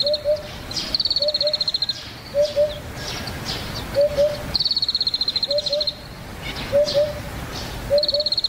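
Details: At the foot of Yatsugatake in Japan, a vagrant Eurasian Hoopoe repeats soft paired 'oop-oop' notes about every second, while a second bird gives loud high rattling trills between them.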